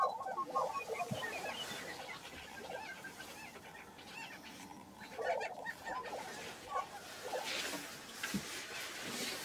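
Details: Lesser prairie-chickens calling at an April lek on Hoeme Ranch, Kansas: clusters of quick cackling notes at the start and in the middle, over a steady background hiss.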